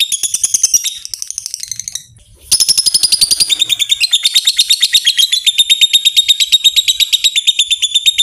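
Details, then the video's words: Long 'ngekek' trill of a fighter-type lovebird, used as bait to spur other lovebirds to sing: choppy high chatter, a brief pause, then a sustained rapid trill of even pulses at a steady pitch. "Lovebird Susah Ngekek Pancing Saja Pakai Suara LB ini, Pasti Langsung Respon Ngekek Panjang"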